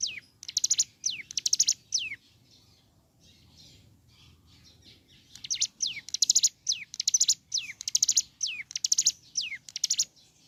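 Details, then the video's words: Ciblek gunung in vigorous morning song, aimed at rousing other birds of its kind. Runs of high buzzy rattles, each with a falling whistled slur, broken by a quiet gap before a long steady series resumes. "Suara Asli Ciblek Gunung Gacor Pagi Hari.Rangsang Emosi Cigun Manapun Agar Segera Bunyi"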